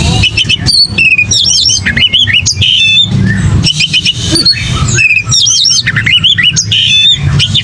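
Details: Oriental magpie-robin giving a fighting song full of fill-ins: looping, twisting whistled phrases and sharp chips in quick succession over a constant low hum.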